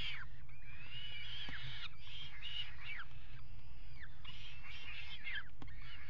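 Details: On a water-tower nest box ledge at Axel, Netherlands, on 5 February 2018, peregrine falcons mate, giving repeated whining, wavering calls that slide downward. Steady low wind roar runs throughout.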